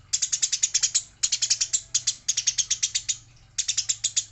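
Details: Eurasian tree sparrow said to be fighting, labeled female: long runs of fast, grating high chirps in several bursts with short breaks, steady low hum in the background.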